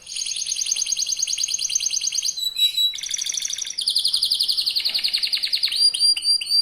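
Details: Young local canary singing a rapid lure song to provoke opposing canaries: long pulsing trills at high pitch, a brief harsher buzzy phrase, then more fast trills ending in sweeping whistles.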